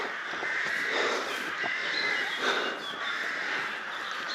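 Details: Crows keep up a harsh, continuous cawing around the ruined castle in Bychawa by the water. Several birds call over one another in a short, busy burst.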